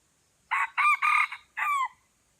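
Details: Aceh, Indonesia: a red junglefowl crows while two wild birds come in to a lure bird. Four loud raspy notes run together, the final one falling in pitch, the whole crow lasting under two seconds, with nothing else audible.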